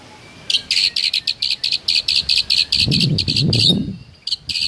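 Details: White-rumped shama in the morning with a rich, mimicry-filled song: a fast series of short buzzy chips repeated about three times a second, with a brief low rumbling noise in the middle.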